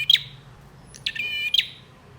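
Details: Male bar-winged prinia in full song, used to provoke silent birds to sing. A single buzzy rattling trill lasting about half a second sits between sharp ticking notes.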